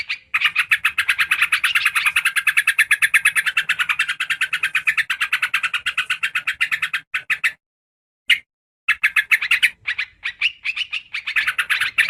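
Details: Yellow-vented bulbul calls meant to lure birds: a long unbroken stream of fast, harsh, evenly repeated notes, then a brief silence, then broken scattered bursts of chatter.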